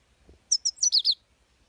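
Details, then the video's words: Brief phrase from a singing European goldfinch (saira): five quick, high, bright twittered notes, the last ones slurring downward, with a faint low thump just before. "full start Saira #goldfinch #saira #singing"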